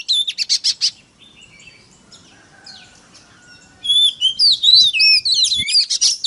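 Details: Oriental magpie-robin (kacer) lure song for provoking other kacer: a rapid burst of chirps, a few seconds of soft distant notes, then loud, varied whistles and sweeping chirps.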